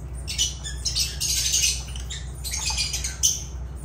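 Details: Agapornis lovebirds chattering in dense, scratchy, high squawks that run in two long bursts with a brief lull between, over a constant low droning hum.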